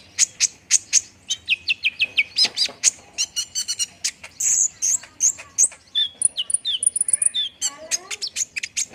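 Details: Olive-backed sunbird song used to prompt a bird to start singing: steady rapid high chips, then a descending series of short whistles, buzzy notes, and a thin sustained high trill near the end.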